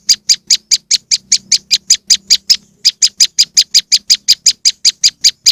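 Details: Moss wren lure: strident rasping chips repeated quickly and evenly, about three a second, with one short pause near the middle and a faint low hum underneath.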